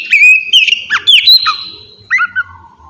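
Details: Song of an oriental magpie-robin played as bait to make other birds respond: sweet slurred whistles climbing and dipping, a held high note, then a couple of short chirps and a softer falling tail.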